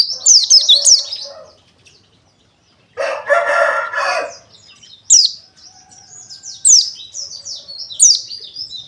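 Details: Pleci dakun wilis white-eye singing, used to provoke rival birds: bursts of high, thin, rapidly slurred chirps and twittering notes, broken by a loud, drawn-out rooster crow in the middle.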